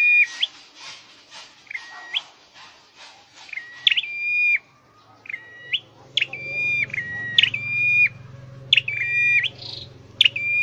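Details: Song of a caged scarlet-headed flowerpecker being trained to sing: rapid short, stepped whistled notes, then several separated phrases of level whistles with sharp attacks, over a soft low hum.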